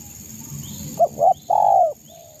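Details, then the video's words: Local East Java spotted dove, a vigorous singer used to provoke rival birds, giving two short low coos and then a long drawn coo, with faint high bird calls behind and a steady high hiss. "SUARA burung derkuku gacor MENEKAN lawan EMOSI"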